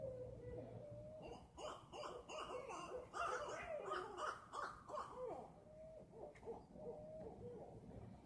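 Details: Owl calling late at night in a front yard just outside a window, giving low wavering, quavering hoots in bursts over a steady hiss of background noise.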